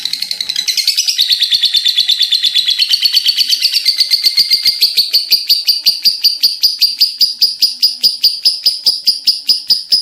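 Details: Lovebird in energetic voice delivering a long, unbroken chatter: a rapid rattle of high, piercing chirps, tightly repeated for ten seconds and growing crisper and more evenly spaced toward the end.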